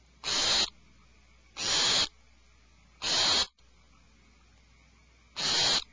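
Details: Four coarse, breathy screeches come from owlets alarmed inside a nest cavity. Three arrive in quick succession, then a longer gap before the fourth.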